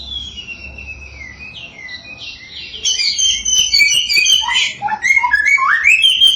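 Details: Samyong lure song intended to rouse rival samyong into song: a soft run of gliding whistles opens, then louder, rapid, varied chirps and rising and falling whistled notes follow in quick succession.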